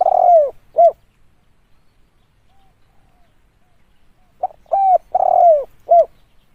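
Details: Spotted dove call used as a lure, loud mellow coos with a long note bending downward, a silence of about three seconds, then a full repeated phrase.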